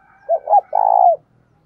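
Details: Spotted dove decoy calling to draw other doves: one loud phrase, two quick low coos leading into a longer vibrating coo that falls off at the close.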